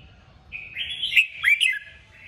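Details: Red-whiskered bulbul in a 'kích bổi' recording, used to stimulate other bulbuls to sing: a bright, warbling phrase of rising and falling whistled notes lasting about a second, then a second quick chattering burst, over faint low hum.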